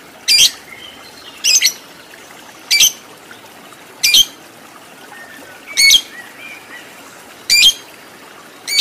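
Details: Lovebird kept for fighter competition training, giving sharp, harsh high squawks spaced about one to one and a half seconds apart, with short quiet gaps and faint background chirps between them.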